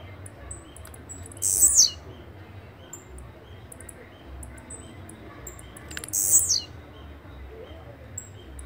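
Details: Blue-black grassquit, known as chirrio, repeating a brief buzzy descending high burst twice, about five seconds apart, against a quiet low background hum.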